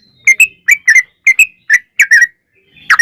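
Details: Sooty-headed bulbul song meant to provoke a bird into singing: short clear whistled notes in pairs and triplets, slurred and slightly falling, with short pauses between phrases.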